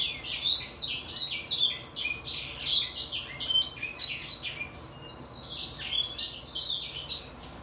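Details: A 2022 brimstone canary × greenfinch hybrid sings a fast, high, jumbled twitter of chirps and trills, running almost without pause apart from a brief lull midway.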